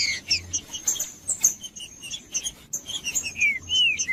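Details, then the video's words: Green-winged saltator singing, meant to stir a cold, silent bird into song for tournament breeders: thin high chips and twitters first, then several sweet whistled notes that slide downward, clearest near the end. "TRINCA FERRO CANTANDO"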